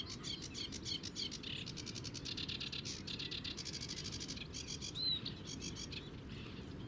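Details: Sedge warbler song from the Zouweboezem, Netherlands, recorded at a distance with a compact camera: rapid buzzy trills and churring phrases in quick succession, then one clear whistled note, over a constant low background noise.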